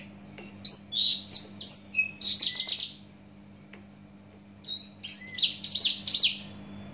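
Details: Song of a Javan bush lark from Java: two rapid bursts of high, buzzy whistles and slurred chirps, the first about two and a half seconds long, then a pause before the second, with a faint background hum.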